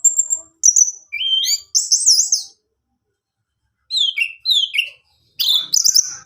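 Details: Orange-headed thrush singing, used to set another male thrush singing: a thin high whistle, rising slurred notes into looping warbles, a gap, then falling buzzy whistles and a final high scratchy burst.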